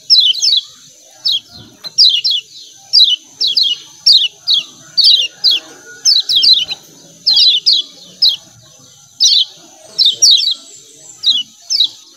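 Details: Lemon-bellied white-eye calls, the chirping 'ciak ciak' type: short high descending chirps in quick pairs and clusters, repeated about once a second, with a faint steady high tone running behind.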